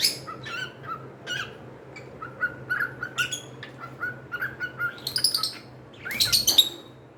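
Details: Pet cockatiels indoors giving many short chirps at a steady pace, building to a burst of harsh, louder squawking near the end.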